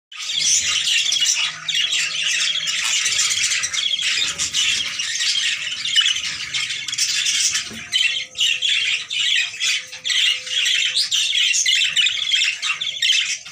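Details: A pair of budgerigars chatter nonstop with dense, scratchy warbles and sharp squawks.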